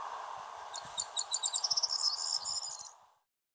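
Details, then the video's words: Corn Bunting singing in a hedge near Wrestlingworth, Bedfordshire, UK, on 16 May 2020: high ticking notes speed up into a dry, jangling trill like shaken keys, about two seconds, over a steady low rumble. "Corn Bunting"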